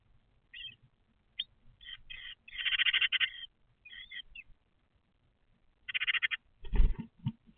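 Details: Nestlings in Vienna, a brood of seven, beg during the parents' first feeding of the day at dawn after a cold wet night; short scattered buzzy chirps swell into longer harsh bursts, followed by a brief dull thump near the end.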